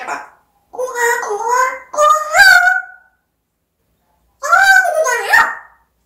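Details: African grey parrot talking: a string of tonal, speech-like syllables with rising and falling pitch, then a pause and another short phrase.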